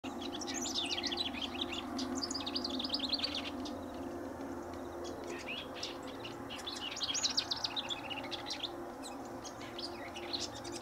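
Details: Wild House Wren singing incessantly near a riparian area at Linscomb W.A.: two bubbling, rapid chattering bursts of high trills and sweeping notes, each about two to three seconds long, with a steady low background hum.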